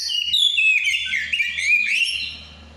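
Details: Breeding-condition shama giving a brief ngeplong phrase, loud rich whistles gliding and wavering, then fading into quiet background hum.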